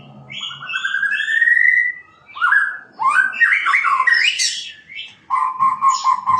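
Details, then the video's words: White-rumped shama song opening with a long, smoothly rising whistle. Bursts of rich, jumbled warbling phrases follow, then a steady run of lower repeated notes near the end. The song is loud and clear. "Shama birds..calling bird singing Bird"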